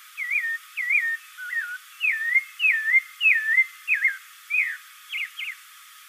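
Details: Song of the spectacled thrush, known in Brazil as sabiá caraxué: a steady series of about eleven short, curling whistled phrases, each rising and dipping, delivered roughly twice per second, ending with two sharper notes.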